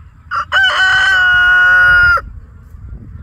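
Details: Rooster crowing on a farm where roosters and hens are kept: a short lead-in note, then one loud, sustained, harmonic crow held for about one and a half seconds, ending abruptly, followed by faint background rumble.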